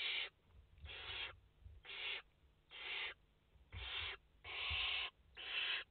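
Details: Barn owl young in their nest, brood of five, August 2021: seven short raspy hisses in steady succession about a second apart, noisy and harsh.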